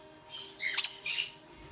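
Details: Adult caique parrots, parents of a hand-fed baby, give three harsh, raspy squawks in quick succession from the background, the middle one loudest, in a quiet indoor room.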